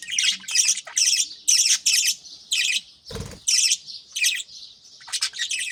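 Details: Budgerigars kept as pets, greeting the morning with chicks being fed in nest pots; rapid high chirps come in tight bursts one after another, broken once by a brief low thump.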